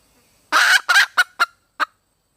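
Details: A red junglefowl hen calls for a mate, delivering a rough, broad cackle followed by a quick series of four short, sharp clucks.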